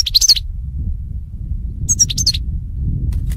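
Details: Goldfinch twitter used for song training of goldfinches: a quick burst of high tinkling chirps, a lull, then two more tight chirp clusters, with a constant low hum underneath.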